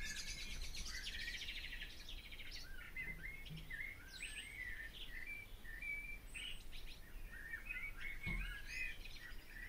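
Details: Barn swallow (Hirundo rustica) twittering song over a steady background hiss and low rumble, with warbled, rising and falling notes and a few sharper high chips.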